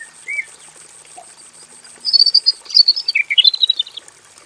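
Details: Male robin kept in a simple aviary, singing a long full song: after two quiet seconds, a fast run of high, rapid twittering and warbled notes. A steady high-pitched whine runs underneath throughout.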